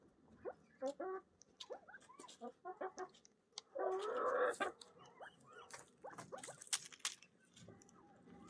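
Young yellow golden pheasants give quick, thin peeps and soft clucking notes, about three per second, with a brief burst of rustling midway.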